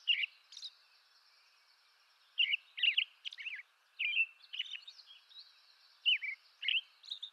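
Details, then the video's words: American robin, eastern North America, singing scattered whistled phrases with sharp high squeaks between them. A long pause falls early on, and faint steady background hiss continues throughout. "American Robin Bird Song"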